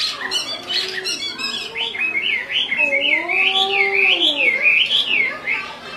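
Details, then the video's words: Female Chinese hwamei calling on and on, with an agitated male; rapid chattering notes give way to a long, smoothly rising and falling whistled trill with lower sliding tones beneath. "Họa mi mái xùy liên tục, họa mi trống không yên"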